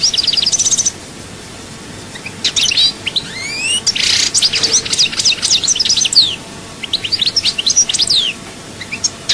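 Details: European goldfinch singing in Souk Ahras, Algeria: fast jumbled twitters and sliding high notes in long bursts, with a short rough buzzy note near the middle and constant background hiss.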